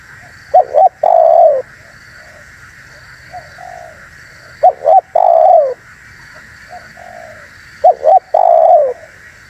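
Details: Spotted dove calling to entice and provoke wild doves: three loud phrases of paired short coos and a long falling coo, with softer coos between them and a steady hum.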